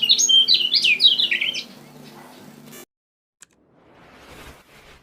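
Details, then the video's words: Kecial kuning (Lemon-bellied White-eye) from Lombok, lure song: an intense rush of high, rapid twittering for under two seconds, followed by hum, an abrupt cut to silence and faint noise. "Kecial ngejoss Burung Pikatan"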